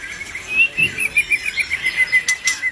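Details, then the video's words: Albino white-rumped shama giving a quick, even series of short chirped notes at a steady pitch, about five per second, with a brief noise burst near the end. "murai BATU ALBINO udah cantik gacor pula.."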